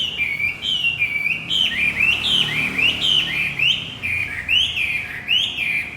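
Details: Javan white-eye song played to coax a silent male back into singing: a lively chain of high, rising and dipping whistled phrases, roughly one slur per second, loud and unbroken.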